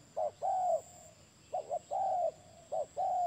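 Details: Spotted dove cooing: paired short clipped notes, each followed by a longer, slightly arching hoot, repeated three times in steady low tones. A faint constant high hiss runs behind.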